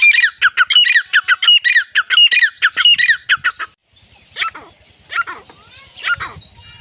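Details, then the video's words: Grey francolin calling with a quick string of harsh, ringing, slightly falling notes, then a quieter stretch with a few scattered rougher calls and faint background noise. "5 five different gre teeter voice || teeter chicks boli || all teeter ki awaz"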